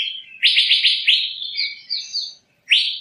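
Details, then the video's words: Asian fairy-bluebird producing a quick burst of five ringing upslurred whistles, then softer warbled notes and one final rising whistle after a short pause. "Tiếng chim Thanh Lam(Chim Lam) | The sound of the bird Irena puella"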